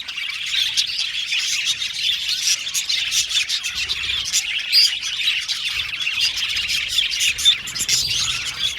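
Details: Many budgies in an aviary colony keep up a steady, crowded chorus of high chirps and warbled twitters, with brief brighter tweets standing out above the constant chatter.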